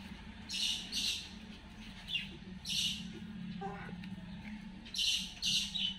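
Brahminy kite giving harsh, wheezy squeals, mostly in pairs, a few seconds apart, over a steady low hum.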